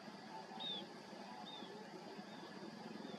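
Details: Newborn Cinnamon bittern (Ixobrychus cinnamomeus) heron chick gives thin, high, down-slurred peeps, about one every second, over a steady background hiss and low rumble.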